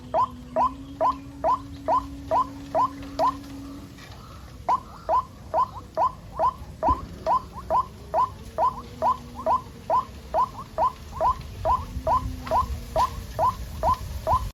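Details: White-breasted waterhen chicks calling in the rainy season, a long even series of short rising squeaks about twice a second, pausing briefly once, with low background hum.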